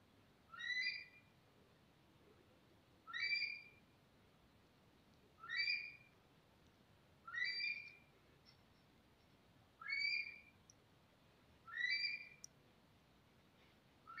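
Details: Monal calling with six loud, clear whistled notes. Each note rises and bends and carries bright overtones. The notes come about every two to two and a half seconds over a quiet background.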